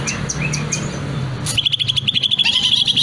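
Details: Greater green leafbird singing a long, varied song: spaced whistled notes at first, then after a sharp burst a fast, high, chattering series of repeated chips, with a constant low background hum.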